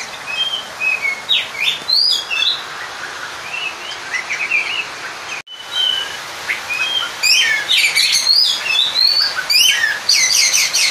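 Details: Kacer, or Oriental magpie-robin, singing a lure song meant to call an opponent and provoke other males. It pours out rich rising and falling whistles mixed with harsh buzzy notes, broken by a brief silent gap midway.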